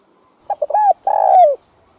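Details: Spotted dove (cu gáy, cu đất) cooing, played to stir up doves; one phrase of three short clipped notes running into a long, smooth, slightly falling coo, in quiet surroundings.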